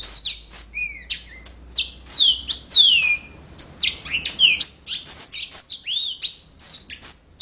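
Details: Yellow-fronted canary in full, lively song, a fast unbroken run of high whistled slurs, chips and short trills, each phrase sweeping downward, with quiet room hum beneath.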